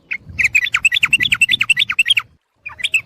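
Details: Sooty-headed bulbul call used as bird lure: a continuous excited chatter of slurred, bright chirps at a quick, uneven pace, a brief gap, then the chatter resumes.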